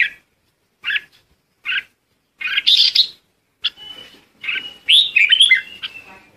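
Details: Red-whiskered bulbul calling the flock, starting with single short chirps spaced almost a second apart, then longer rich warbling phrases and a thin level whistle.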